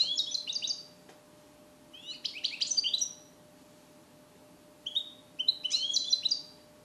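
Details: Song-trained European goldfinch born in captivity in 2021, taught Neapolitan passages, recorded in a small carrier cage: three bursts of quick high tinkling twitters separated by pauses, over a faint steady low hum.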